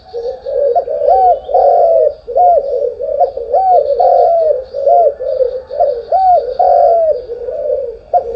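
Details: Morning spotted dove song: repeated arched hollow coos in a steady rolling sequence, some notes overlapping, over a faint constant high-pitched hiss.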